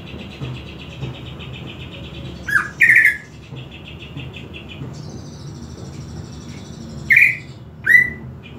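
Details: Greater green leafbird singing as a master recording, used to provoke and train other leafbirds: soft, thin, sustained high tones broken by loud, sharp, downward-slurred chirps near 2.5 and 7–8 seconds, over a low background hum.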